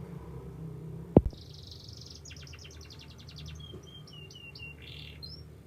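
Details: Young canary singing softly: a high thin buzzy note, then fast clicking trills and short repeated whistled slurs, over steady low background hum and one sharp knock.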